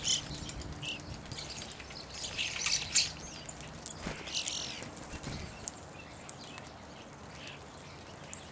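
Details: Evening grosbeaks give scattered, short, high chirping calls, clustered near the start and again around the middle, then fading, over a faint steady hum and outdoor background noise.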